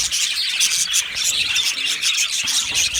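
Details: Many Australian budgerigars chirping together in an aviary, a busy, constant mesh of high tweets and pulsing warbles with no pauses.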